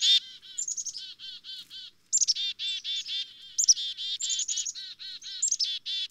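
Black-capped chickadee giving repeated chick-a-dee calls: thin high introductory notes followed by quick runs of harsh, buzzy dee notes, about six per second, with nothing else heard.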